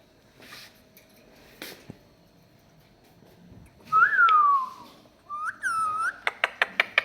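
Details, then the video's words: Chatty pet parrot in a small room giving a drawn-out whistled falling note, then a rising-falling whistle and a quick run of sharp repeated clicks, after soft background rustling. "Chatty Parrot"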